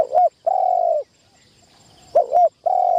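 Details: Trapping-decoy spotted dove during first enclosure training: a long level mellow coo ends one phrase, then after a pause comes a doubled short hoot and another drawn-out coo.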